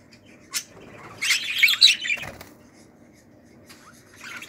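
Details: Budgerigar chicks in a 2018 brood of pearl budgies: a short burst of raspy, chattering squawks building to a louder cluster, then quieter scattered chirps and faint rustling.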